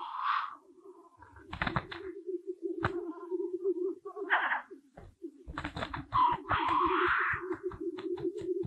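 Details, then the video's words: Black grouse cocks at a spring lek in Kuusamo, Finland, some fighting: a steady, low, dove-like bubbling coo runs throughout, broken by harsh hissing sneezes and a burst of rapid clicking wing-flutters. "BLACK GROUSE lek"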